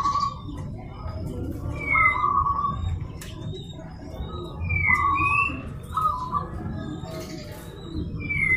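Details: Local zebra dove provoking another dove to call back, giving short clipped phrases of rapid cooing notes several times. Other birds repeat loud rising whistles and high chirps throughout, over a low background murmur.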